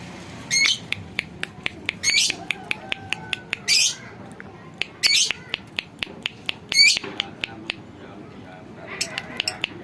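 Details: Bandangan lovebird tested for its voice, giving repeated short bursts of piercing, raspy high chatter every one to two seconds, with a steady ticking of sharp clicks throughout and low background noise.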